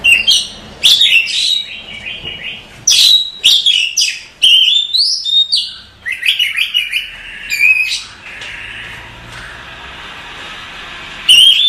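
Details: Sustained Oriental magpie-robin masteran song, a long series of loud sweeping whistles, rapid trills and sharp chips in varied phrases, softening to a quieter warble before a final loud note.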